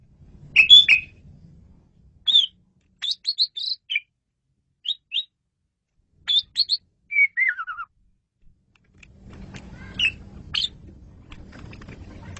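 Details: Sparse Asian pied starling masteran notes: isolated sharp chirps and short whistled pairs with long silences, one slurred descending whistle, and low background hum near the end.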